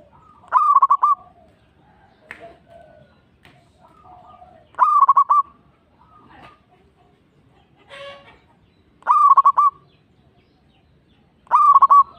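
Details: Zebra dove lure song for drawing answers from other local doves: loud stuttering coo bursts roughly every four seconds, separated by quieter scattered coos and faint clicks.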